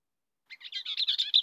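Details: Bell's Vireo song, uncommon in DuPage County and needing open shrubby habitat with dense thickets: a quick, husky, run-together burst of chattering notes, accelerating over about a second and ending on a sharper emphatic note.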